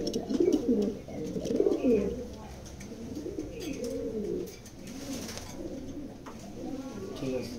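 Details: Indoor flock of racing pigeons offered for sale: loud rolling coos from several birds at first, then quieter repeated warbling coos alongside a person speaking and a few clicks.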